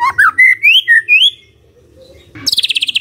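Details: Magpie-robin morning song to prompt a silent bird to reply: a few clear, rising and falling whistled notes, a short pause, then a rapid high buzzy trill.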